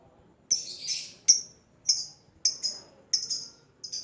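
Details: Lovebird call used to lure and answer a rival, heard softer and further off. Thin, high, scratchy chirps arrive singly or in pairs at irregular gaps of roughly half a second to a second.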